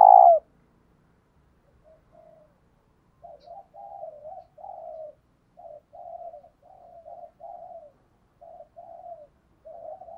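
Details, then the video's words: Spotted dove kept as a decoy, 'giọng thổ' voice, calling to attract wild males. After one loud opening note, a long series of gentle, evenly spaced low coos follows in a quiet setting. "Tiếng cu mồi thúc. gáy gọi kích bổi chuẩn / Cu gáy mồi gáy gọi 1 hậu / Chim cu gáy mồi kích trống"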